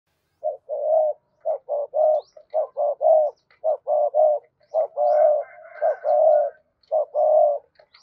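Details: Spotted dove cooing in the gù gáy gọi hai hậu style, used to rouse a newly caught dove into cooing quickly; low mellow coos in short clipped notes and longer drawn coos, phrases repeated steadily nearly a dozen times.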